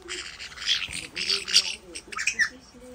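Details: During a playful wrestling match between pet white-bellied parrots, loud rasping screeches come in quick runs, with faint voices beneath.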